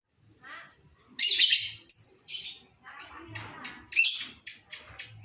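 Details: Lovebird in an excited state, used as a lure sound to trigger singing: short bursts of harsh, high chattering chirps separated by brief pauses, over a faint low hum.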